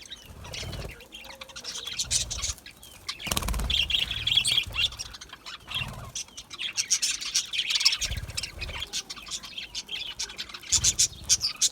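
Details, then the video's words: Budgies keep up a busy, high warbling chatter of quick chirps and scratchy notes, rising and falling in intensity over several seconds, with occasional low thumps. "Budgie chirping sounds"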